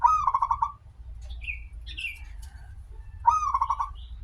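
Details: Local zebra dove, recorded as a lure to get zebra doves singing, gives two phrases of a rising note and quick rolling coos, while other birds add short high chirps in the gap.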